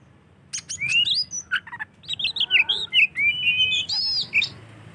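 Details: White-rumped shama singing as a lure for other shamas: a rich run of whistled, slurred and buzzy phrases, rising and falling, with sharp clicks at the start, delivered in one continuous burst.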